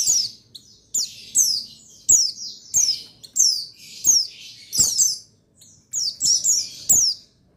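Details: Male buxtoni white-eye (pleci), played to stimulate lazy birds into full song; long run of high, thin falling chirps, roughly every half second, in loose clusters with brief pauses.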